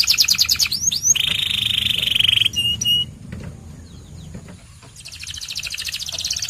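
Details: White canary song opening with quick chattering notes and two swooping whistles, a long steady buzzing roll, a short pause, then a fresh burst of rapid rattling trills.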